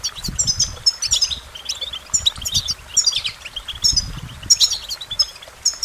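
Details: Goldfinch song in clipped phrases of bright, high, ringing notes and short trills, repeated roughly every second, over a soft low background rumble.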